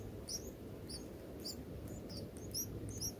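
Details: Bulbuls at a nest in bananas, a parent feeding a chick an oversized bug, give thin, very high squeaky chirps in quick pairs, about every half second, over a steady low rumble.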